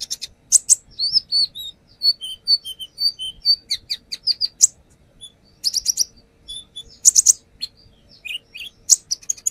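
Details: Brown-throated sunbird song used as a lure, the bird described as actively singing and showing off its repertoire: a busy medley of high thin chirps, short whistled slurs, and rapid twittering bursts with brief pauses between phrases.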